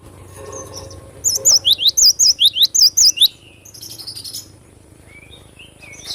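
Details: Cinereous tit singing actively: a loud run of about nine sharp, high whistled notes, each a quick wavering up-down twist, delivered rapidly, then softer twittering and faint background chirps.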